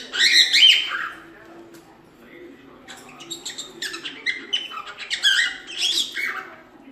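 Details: Pet cockatiel in a home, producing a loud squeaky opening note followed by rapid jumbled chirps and warbling notes, growing denser toward the end.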